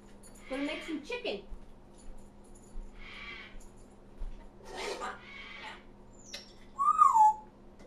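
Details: African grey parrot talking indoors: several harsh, speech-like bursts with broken pauses between them, then one loud whistled note that rises and falls, over a steady low hum.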